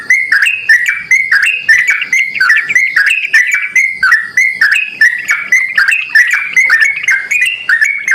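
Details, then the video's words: Yellow-vented bulbul calling strongly, used to make other bulbuls answer; rapid, bubbling whistles in dense repeated phrases, clean with no other sounds. "panggilan burung trucukan gacor ini dijamin trucukan lain langsung merespon"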